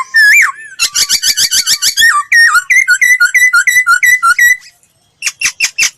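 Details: Laughingthrush singing a lure phrase for voice training: an opening warble, a quick chattering run, a string of about ten wavering whistles, a pause, then sharp repeated notes.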